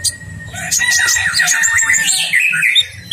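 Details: Olive-backed sunbird singing a full, rolling masteran phrase: dense, continuous twittering of high chirps and slurred whistles, with soft music underneath.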